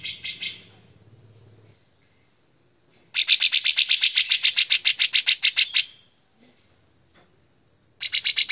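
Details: A white-shouldered triller in full, vigorous song gives loud, rapid trilled phrases of bright chattering notes, about four per second, in bursts of several seconds; the recording is meant as a tutor for other songbirds. A faint low hum underlies the start.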